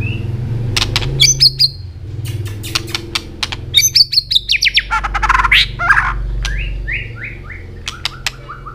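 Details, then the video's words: An Asian robin sings a varied, jumbled song of clicks, buzzy bursts and sliding whistles, ending in a short series of descending chirped notes. "Robin singing"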